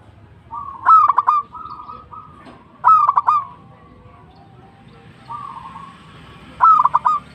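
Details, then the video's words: Local zebra dove delivering three loud phrases of four or five fast, ringing coo notes. They are linked by soft rolling trills, with a faint hiss late in the recording. "PERKUTUT LOKAL GACOR TUMBAK CUCUKAN ASLI BIKIN GACOR"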